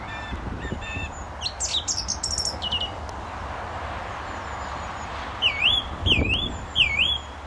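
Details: Male song thrush singing close by at a gravel pit near St Albans, Britain, in May 2012: a run of varied high chirps and short trills, then one looping whistled phrase repeated three times.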